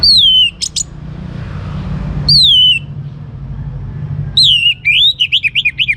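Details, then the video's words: Young orange-headed thrush singing, used to coax other birds into song: clear descending whistled phrases separated by pauses, ending in a quick run of wavering notes, over a steady low rumble of traffic. "ANIS MERAH Muda Gacor Untuk Pemancing Burung Berani Berkicau Ngeplong juga Teler"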